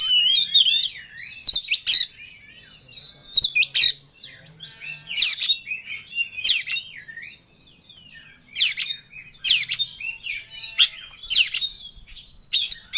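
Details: Oriental magpie-robin singing passionately to find a rival, mixing warbled whistles with loud harsh bursts recurring about every two seconds, plus softer notes between them.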